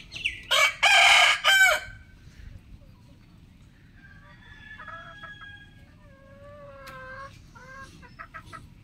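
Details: Rooster crowing in the morning, one of twenty different roosters: a loud, harsh, broken crow lasting about a second, followed by fainter, tonal crowing and calls from farther away.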